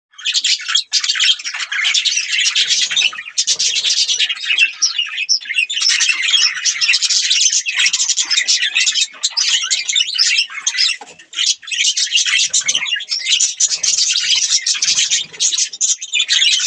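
Budgerigars chirp and warble nonstop, a dense, scratchy chatter of high tweets and squawks.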